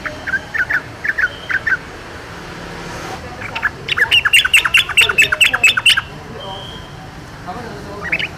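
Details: Yellow-vented bulbul in the wild: scattered chirps at first, then a fast, evenly spaced burst of loud staccato notes lasting about two seconds, with more chirps at the end.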